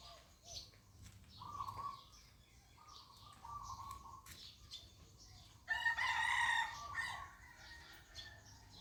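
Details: Roosters crowing on a cold, foggy morning at Ko Kha, Lampang, Thailand. One loud, rasping, harmonic-rich crow bursts out late in the clip, after several steady whistled tones from other birds, with rural background hiss.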